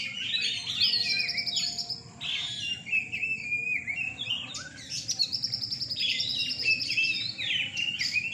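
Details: At a night singing contest in Rungkut, Surabaya, caged Oriental magpie-robins (kacer) give loud clear whistled phrases, some rising, some falling, in bursts with brief lulls, over a constant low hum.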